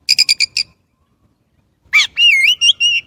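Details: Chinese blackbird giving five quick, harsh chattering notes, then after a silence a rich phrase of wavering, warbled whistles.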